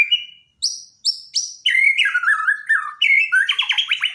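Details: White-rumped shama from Borneo, daily song-training recording: clear whistled notes, some sliding downward, followed by rich warbling phrases and a quick series of rising whistled notes.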